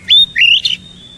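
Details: Oriental magpie-robin giving two loud upslurred whistles and a short buzzy flourish, followed by a faint sustained tone.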